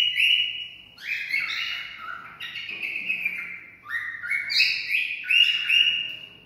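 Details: Cockatiel song meant to stimulate mating, a busy run of clear whistles that step up and down in pitch, mixing long held notes with quick chirpy slides, almost without pause and with faint room hum beneath.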